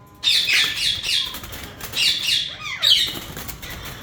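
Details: Yellow ringneck parakeets of a breeder pair screech in rapid harsh squawks, about three per burst, with a brief descending call between bursts and a soft flutter of wings.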